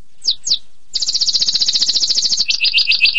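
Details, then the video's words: Canary giving two sharp descending chips, a pause, then a very fast high trill that drops into a lower, choppier run of repeated notes. "Suara Burung Kenari durasi panjang!!"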